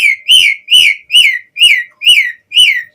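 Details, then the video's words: Asian pied starling singing vigorously, a recording meant to coax kept starlings into song: six loud, evenly spaced whistles about two per second, each a quick rising then falling slur. "Pancingan Suara Jalak Suren Gacor POWER FULL Variasi Isian"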